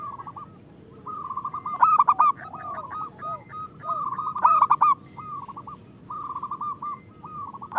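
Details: Zebra dove of local origin singing, a lure for lazy birds: soft cooing runs interspersed with louder clipped bursts, phrases following closely one after another.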